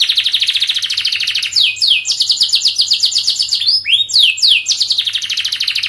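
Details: Canary singing a long, fast song for training young birds: a rapid high rolling trill, then a string of repeated downward-slurred whistles and a brief low swooping note, continuous and loud.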